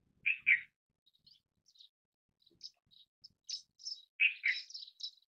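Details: Indian silverbill calling: two loud, husky chirps open, then scattered high, thin tweets and a closing cluster of twittering notes, with a faint low rustle at the start.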